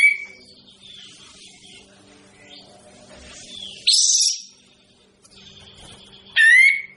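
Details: Kapas tembak bird with a harsh, buzzy burst near four seconds, then a clear whistled note with rising harmonics near the end, over softer chirps and a low hum.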